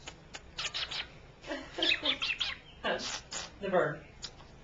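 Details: Wasabi, a female cockatiel, "talks" for a few weeks now, chattering in short speech-like bursts with scratchy, buzzy syllables and brief chirps.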